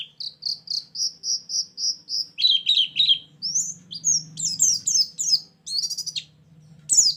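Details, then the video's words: White-eye (pleci) lure song used for trapping birds: a run of about a dozen evenly spaced high chirps, then faster, varied twittering notes sweeping down from very high pitch, with a faint low hum underneath. "suara burung pleci pikat+isian"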